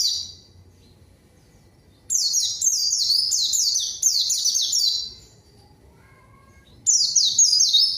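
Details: Lure recording of a white-eye meant to call out a rival and spur quiet birds to sing: a rapid run of high descending slurred notes lasting three seconds, then silence and a shorter burst.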